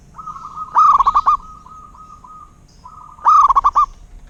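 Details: Local zebra dove (perkutut) singing two phrases about two and a half seconds apart. Each opens with a rising note and breaks into four or five rapid throaty coos. A faint steady tone lingers between phrases.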